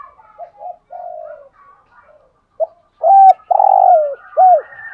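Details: Spotted dove, 'hạp bổi' voice, cooing to excite caged males: quiet short coos and a level hum, a pause, then loud arching doubled coos and a long, falling rolling note.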